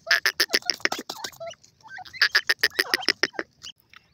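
A francolin gives harsh, grating notes in rapid runs, two bursts separated by a short pause.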